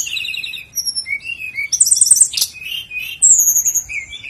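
A flycatcher sings a rapid, varied medley of high, thin whistles, buzzy trills and sweet warbles, each phrase shifting pitch with barely a pause between.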